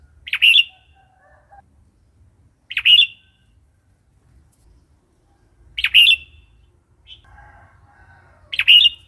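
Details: Red-whiskered bulbul singing a varied wild-type song of short, bright, bubbly phrases about every three seconds, with fainter lower chirps from other birds between; used to stir up new or wild birds and to teach young birds.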